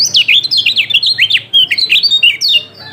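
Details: Rapid, chattering song of a yellow-throated white-eye, played as a lure to get a silent bird singing; quick high whistles slurring up and down, with a short gap midway.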